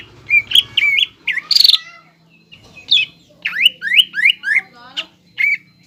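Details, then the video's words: Greater green leafbird singing 'nembak ngekek' lure song for young birds. Scattered whistled phrases and a harsh burst give way to a series of sharply rising slurred notes; a low hum sounds in the background. "PANCINGAN CUCAK IJO GACOR NEMBAK NGEKEK BIKIN CEPAT MASUK BUAT CUCAK IJO KUNINGAN"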